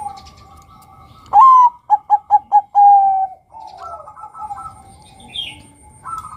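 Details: Lure song of a male Bangkok-strain zebra dove: a sharp upslurred first note followed by four short pulsed coos and a long even note, with distant doves cooing afterwards.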